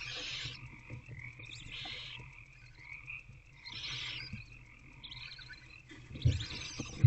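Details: Barn owl owlets in a nest box at night, around 4 am on 2/11/24, while their mother is away; harsh, breathy hissing bursts about half a second long recur every couple of seconds over a steady low hum, with thumps near the end.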